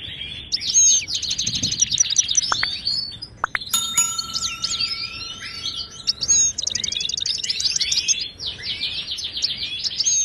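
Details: Moroccan goldfinch song meant to stir silent caged birds: lively high twittering and rapid stuttered trills, with a steady ringing chime-like tone around the middle.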